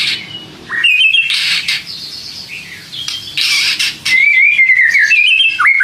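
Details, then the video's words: White-rumped shama (murai batu) in full song, used as lure material to provoke lazy shamas into answering: loud, varied whistled phrases, sliding and warbling around mid-high pitch, broken by short harsh bursts and brief pauses. "pancing MURAI BATU malas bunyi/bahan paling GAMPANG direspon"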